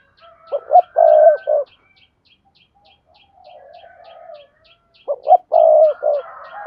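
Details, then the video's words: Spotted dove cooing to stimulate other doves: two deep phrases, each with short opening notes and a longer held coo, separated by a faint low murmur, with even ticking clicks running underneath. "tiếng cu gáy thúc bổi"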